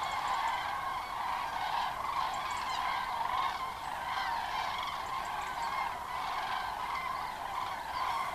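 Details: Common cranes by the thousands coming in to roost on the nearly empty Kelbra reservoir at sunset in late October 2015: sustained, dense chorus of trumpeting calls rising and falling gently.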